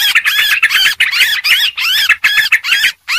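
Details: Busy Sooty-headed bulbul calling for luring birds: rich, jumbled chattering phrases with looping rises and falls, run together in loud bursts, then a brief pause near the end.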